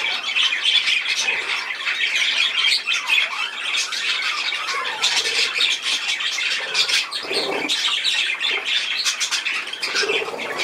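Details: Constant budgerigar chatter recorded 10 June 2024: many birds warbling and squawking together in a dense, unbroken babble, with a few louder scratchy calls standing out near the end.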